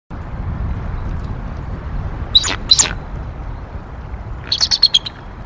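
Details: Pair of bald eagles at nest N1 in Decorah, around 10:15 am on 18 April 2022, after adding fluff to the nest. Two loud, high piercing notes are followed by a quick chattering run of shorter squeaky calls over steady background hiss.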